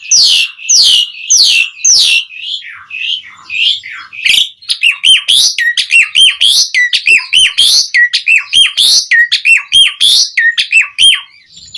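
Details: Asian pied starling singing to call other starlings: harsh raspy downslurred notes, then a fast run of repeated whistled dipping notes, loud and steady, nearly two per second.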